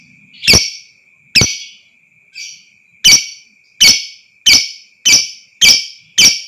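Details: Lovebird calls used to provoke long trilling: a near-regular series of sharp, harsh shrieks, roughly nine in six and a half seconds, each a short clipped burst, with one softer chirp among them and a constant high whine.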